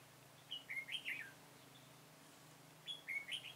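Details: Red-whiskered bulbul phrases from a trapping session with a decoy on 21 September 2017. Two short bursts of bright, slurred whistles, the first of about four notes and the second of three, with a quiet gap between them and a faint low hum.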